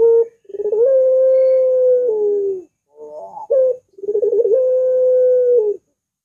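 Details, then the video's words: Barbary dove (puter) with a long curving voice: two drawn coos that rise slightly, hold level and droop at the end, each opened by quick stuttering pulses, with a rising bent note between. "Masteran Burung Puter !! Suaranya Melengkung Panjang Cocok Banget Dijadikan Pancingan Puter"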